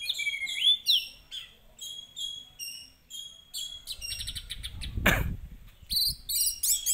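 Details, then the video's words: Lure song of an orange-headed thrush, meant to rouse another bird to sing: quick varied whistles and high chirps in short bursts, broken midway by a loud broadband burst, then more rapid twittering. "pancingan anis merah agar cepat emosi dan bunyi"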